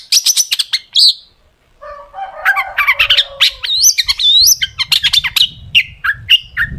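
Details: Long-tailed shrike gacor song full of sharp tembakan phrases: rapid high chips and looping whistles over a low rumbling background, with a harsher, lower warbling passage in the middle.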